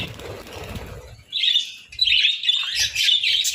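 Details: Budgerigars at breakfast on eggs and bread in winter; a second of fluttery wing noise and rustling, then bright, buzzy chirping chatter in short bursts.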